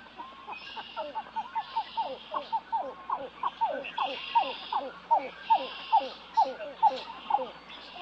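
Pied-billed Grebe giving a long series of hollow, gulping cow-cow notes, about two per second, growing louder; a faint high hiss of other birds behind.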